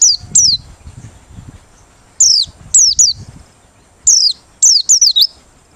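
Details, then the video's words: Open-beak song of a Merapi white-eye, used as a lure: scattered pairs and triplets of bright, very high descending notes, some with a small upward flick, separated by brief quiet stretches. "Pleci Merapi Ngalas Losssdol,cocok buat pikat~pancingan || Buka Paruh"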